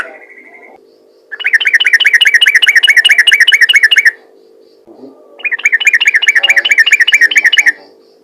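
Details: Yellow-vented bulbul calling out to others of its kind with two long runs of quick, evenly spaced chattering notes, each lasting about three seconds, separated by a short pause, above a steady low hum.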